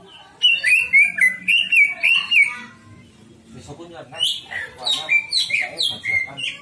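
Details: Greater green leafbird pouring out loud, rapid whistled notes, each a quick slurred upward-and-down phrase, then a short lull and a second run of higher, more varied whistles and chips.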